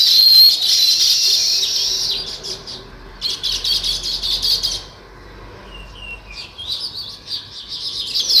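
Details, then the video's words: Natural chirping of sparrows: loud bursts of many overlapping high chirps alternate with quieter spells of a few scattered notes and thin rising calls. "Natural Sparrow Chirping Sounds"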